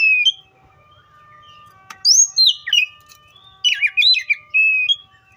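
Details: Oriental magpie-robin song: a soft whistle, a pause, then a high slurred whistle dropping in pitch, followed by quick warbled chirps and a steady whistled note.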